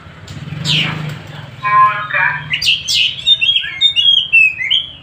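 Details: Oriental magpie-robin (kacer Tasik) singing freely. It opens with a harsh downward sweep and a rattling series, then moves into clear, high, thin whistles and quick chattered notes, with some low background rumble.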